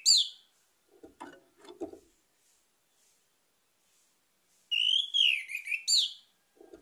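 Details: Lure recording of an orange-headed thrush singing: a short whistled note at the start, a quiet gap with low knocks, then a loud, warbling, slurred phrase of about one and a half seconds.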